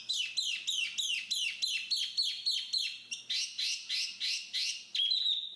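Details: Black-capped babbler repeating a short, bright, slightly buzzy note at a fast, regular pace, roughly three per second, ending with a brief high whistle.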